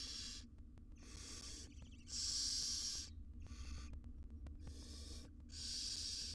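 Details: Wild barn owl mother grooming her tiny chicks in a research nest box in Israel; broadband rasping hisses about a second long repeat with short gaps, with faint nest-box rustling and scratching between them.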